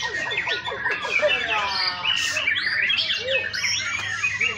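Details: White-rumped shamas at a first singing competition with many entrants: dense, overlapping whistled and chattering phrases from several birds fill the mid and high range continuously, with faint human voices underneath.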